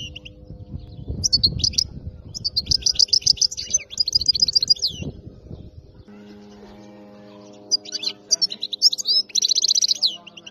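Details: Wild-caught European goldfinch with song described as free of faults. Two bursts of rapid, tinkling, twittering high notes with buzzy trills, separated by a pause. A low rumble and a steady hum run underneath.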